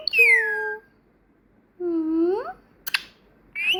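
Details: Trained pet female parrot that speaks Peekaboo, Thank You and Muah and whistles, producing a falling tonal phrase, then a long rising whistle, a sharp click and another rising note.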